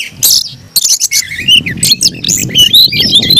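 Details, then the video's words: Caged Oriental magpie-robin with an aggressive fighting song: harsh bursts at first, then a sequence of wavering whistled notes, with some low background noise. "kacer gacor tarung ngotot agresivitas"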